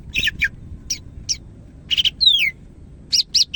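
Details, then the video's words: Medan-type greater green leafbird singing energetically, with buzzy chattering bursts, a long clear whistle sliding downward, and closing rapid double notes, against a quiet low hum. "SUARA BURUNG CAK IJO MEDAN GACOR"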